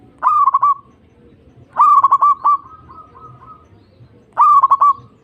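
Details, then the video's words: Cooing of a zebra dove, used to coax young or sluggish caged doves into song: three phrases roughly two and a half seconds apart, each opening with sharp stuttered notes and ending in a sustained purring trill. "Pancingan Perkutut Obat Manjur Pandai Bikin Nyaut Bunyi"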